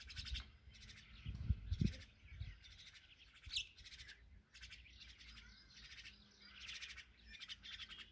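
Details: Myna chicks being fed by their mother give harsh, raspy begging calls in rapid pulsed bursts, almost continuously; low thumps and rustling come near the start.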